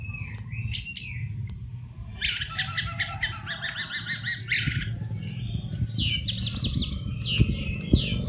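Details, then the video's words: Master recording of an orange-headed thrush singing teler style for caged-bird training: fast buzzy stacked note trains and sharp down-slurred whistles run almost nonstop above a constant low rumble. "Suara Burung Anis Merah Teler | Masteran Anis Merah Cepat Teler"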